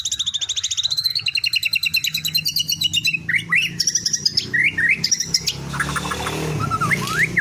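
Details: Murai batu, or white-rumped shama, giving teler-style song full of canary imitation: a long rapid buzzy trill of evenly repeated notes for about three seconds, then loud varied whistled slurs and chirps over faint background hum.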